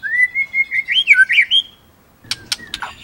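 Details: White-rumped shama delivering a smooth, sweet whistled phrase that wavers and rises, followed after a pause by a few harsh scratchy notes.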